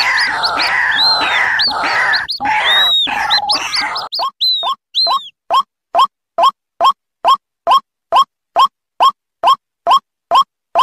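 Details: Combined chick and adult calls of white-breasted waterhen used as a lure: a busy chorus of arched whistles and rough notes, then a steady string of short clipped notes repeated about twice per second.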